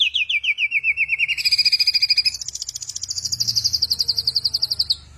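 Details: A captive bird described as a genius mimic of a thousand and one sounds, delivering loud, rapid, evenly pulsed high trills: a slightly falling trill, then a steady buzzy run, then a higher rising trill ending abruptly.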